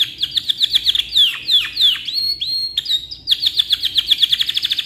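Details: Canary singing a long tutoring song: rhythmic downslurred chirps, a few long sweeping notes, high flat whistles, then a quick run of repeated bright chirps.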